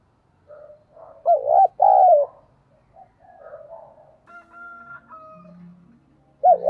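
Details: Spotted dove decoy calling to provoke wild birds: soft coos, a loud arched double coo and long falling coo, then murmuring notes, a steady thin whistling tone and a final coo.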